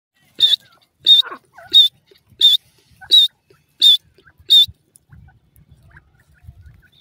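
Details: Francolin in the forest, called teetar locally: seven loud, harsh, buzzy notes delivered in a steady series, roughly one every two-thirds of a second, followed by a quiet stretch with faint rustling and low murmurs.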